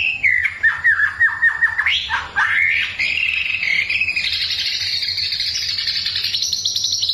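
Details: White-rumped shama song to stir a neighbour's bird: a run of quick descending chirps and a few sliding notes, followed by a long, thin, insect-like buzzing trill that slowly rises in pitch.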